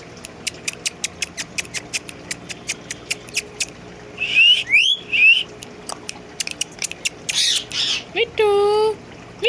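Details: Pet ringneck parakeet whistling and imitating a cat: a run of dry tapping clicks, then bright upward-sliding whistles, harsh noisy bursts and finally a wavering meow-like cry.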